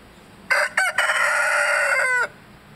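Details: A 19-week-old Light Brahma rooster crowing: a loud, hoarse cock-a-doodle-doo with two short clipped opening syllables and a long sustained strained final note of about a second and a half, in a quiet setting.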